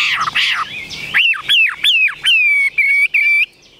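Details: Caged Chinese hwamei singing: blurred opening notes, then strong clear whistles that rise and drop sharply, ending in level ringing notes separated by short gaps.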